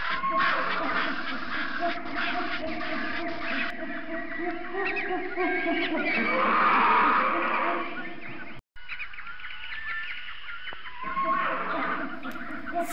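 A flock of flamingos keeps up a dense, nasal, goose-like honking and gabbling, many voices overlapping without pause, with a brief break partway through.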